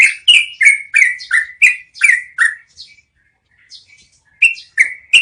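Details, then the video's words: Yellow-vented bulbul delivering a long rolling song meant as training audio for cage birds: a quick string of clear falling whistles, a short quiet gap with soft notes, then three more strong whistles. "MASTERAN SUARA BURUNG TRUCUKAN NGEROLL PANJANG"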